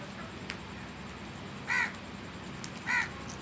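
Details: Crow giving two harsh, hoarse caws about a second apart, each a short burst with stacked overtones, over steady low background hum.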